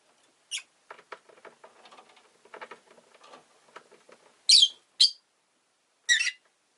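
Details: Rosy-faced lovebird kept as a pet, a faint soft chattering run followed by three loud, shrill, harsh chirps in the last seconds.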